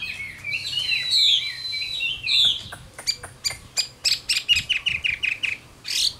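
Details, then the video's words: Chinese hwamei, an old wild-caught bird, gives a few loud whistled swooping phrases, then a rapid series of dry ticking chips repeated about twice a second. "Tố Chất Giọng Hay"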